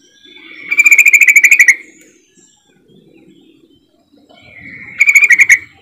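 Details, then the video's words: Yellow-vented bulbul lure call played to coax silent bulbuls into song: a rising lead-in slides into a second-long run of fast, chattering pulsed notes, repeated once, with soft low murmuring between. "pancingan trucukan ini benar AMPUH bikin trucuk macet langsung auto gacor"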